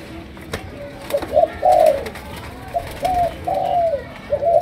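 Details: Malaysian spotted dove giving chiêu gù coos in sấm đồng style. A few soft coos open, then several bright, sustained hooting notes follow, over a faint hiss with scattered clicks.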